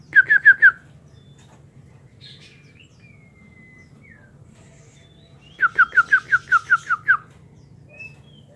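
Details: Aviary-kept white-rumped shama: a quick run of four downslurred whistled notes, scattered thin whistles, then a longer burst of about nine rapid downslurred notes; faint low hum in the background.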